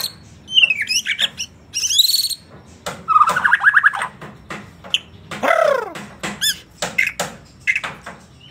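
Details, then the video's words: Borneo white-rumped shama of the gembung type delivering an elaborate song: loud whistled slurs, fast chattering runs and descending sweeps separated by sharp clicks and short gaps, with a faint low background hum. "MURAI BATU BORNEO/MURAI GEMBUNG GACOR ISIAN MEWAH"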